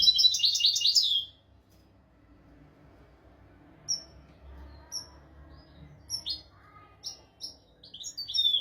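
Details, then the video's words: European goldfinch tutor song, royal style, for teaching goldfinches and canaries; opens with a dense rapid twittering burst, then a quiet stretch with isolated high, thin notes spaced about a second apart. "تغريد طائر الحسون ملكي حفاضة لتعليم طيور الحسون والكناري بدون أخطاء"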